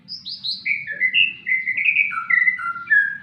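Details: A White-rumped shama (murai batu) sings while sunning: a rich, fluting phrase of clear whistles sliding downward from high notes to a run of lower, varied warbles, over a faint low hum.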